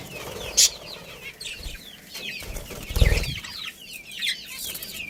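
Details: Budgerigar colony with a breeding pair chattering in quick curling chirps and twitters, with dull low thumps and rustling underneath.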